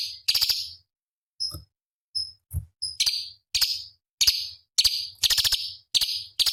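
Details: Master song of a cucak cungkok bulbul for competition birds: a few thin, short chips, then a steady run of harsh buzzy bursts roughly every half second.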